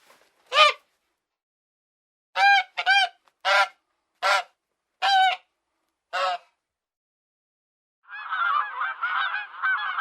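A goose gives seven loud, nasal honks, some in quick pairs, spread over six seconds, then a burst of rapid bubbling calls from another fowl follows.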